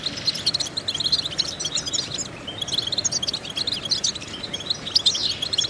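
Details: European goldfinch song used as a vocal exercise recording for training songbirds: bursts of rapid, high twittering and chirps, broken by short pauses, over a faint steady background hiss.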